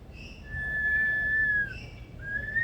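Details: Male superb lyrebird in a rainforest aviary at Adelaide Zoo, South Australia, doing impersonations: a long, steady, pure whistle, a brief break, then a second whistle rising gently, over a low background rumble.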